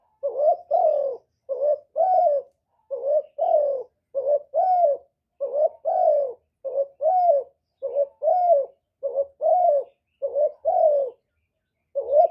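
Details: Spotted dove calls used to stimulate and lure kept doves, recorded directly without background noise: soft low coos in quick pairs and triplets, repeated steadily about fifty times a minute, each note slightly rising then falling, with nothing else audible.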